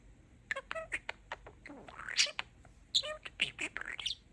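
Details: A pet budgerigar talks indoors in quick, high-pitched phrases mimicking speech. Short clipped syllables run together with chirps and one rising squeaky note.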